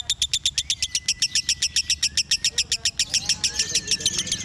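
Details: Lovebird called 'konslet' keeps up a fast high chattering trill of sharp pulses, very regular at first, then slightly looser, with a thin whistle running beneath and quiet background noise.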